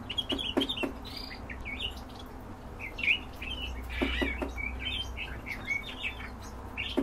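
Black-headed bunting song: short chirps and brief warbled notes high in pitch, delivered in loose bursts, with a low steady hum and occasional sharp clicks.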